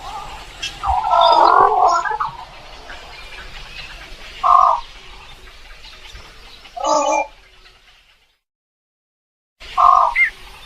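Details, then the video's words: Rasping egret croaks: a longer grating squawk followed by three short harsh calls spaced a couple of seconds apart, with a brief dead-silent gap near the end. "suara burung kuntul"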